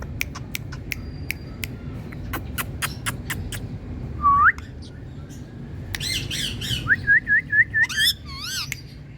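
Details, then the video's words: Indian parrot calling: sharp clicks, a rising whistled note, then harsh buzzy squawks and a run of five short upward-flicking notes, ending in wavering squawks, over low background hum. "Indian Parrot Calling"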